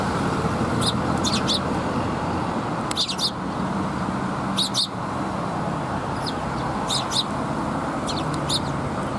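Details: Sparrows gathering for food at a Tenmangu shrine, 2 November 2021: short bursts of sharp, high twittering chirps every couple of seconds over continuous low vehicle noise.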